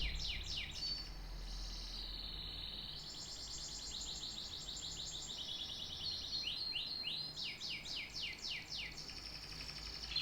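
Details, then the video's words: Canary sings a long, bright run of high rolling trills and quick repeated chirps, with sweeping notes between, over a low steady hum. "The best tweets of a canary bird"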